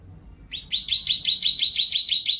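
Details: Canary, shown eating vegetables, delivers a rapid series of about a dozen identical high chirped notes, each a quick rising-falling sweep, evenly spaced after half a second of quiet.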